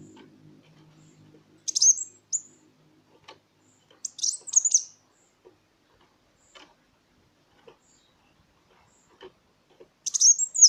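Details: Van Hasselt's sunbird song, used as a lure to stimulate silent songbirds and train other singers: three short bursts of very high, sharp twittering notes separated by pauses of a few seconds, with faint clicks between them.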